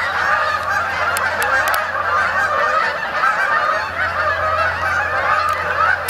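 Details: A flock of Canada geese flying in at Sapsucker Woods, Ithaca, New York, on 28 October 2017 to spend the night on the main pond honks without pause, overlapping nasal mid-pitched calls into a constant clamor, over a faint low hum.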